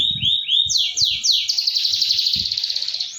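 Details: Canary lure song for a mute canary: two rising whistles, three sweeping downslurs, then an even rapid trill of about eight notes per second, with soft thuds below.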